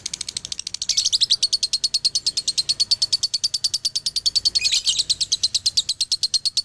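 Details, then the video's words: Dobelan of a male lovebird, Galendo line, Ciamis: a dense stream of piercing rapid chirps that swells louder and brighter twice, with short harsher squeals mixed into the steady ticking rhythm. "SUARA ASLI DOBELAN LOVEBIRD JANTAN"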